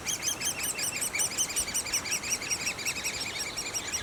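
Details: A steady, rapid series of high, sharp squeaks from a great spotted woodpecker nest, many notes each second, with a quiet background.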